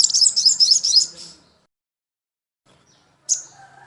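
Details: Crimson sunbird (sogon) song used as training material for caged birds: a burst of high, tumbling, squeaky twitters lasting about a second, a long pause, then a single sharp chip with faint low hum.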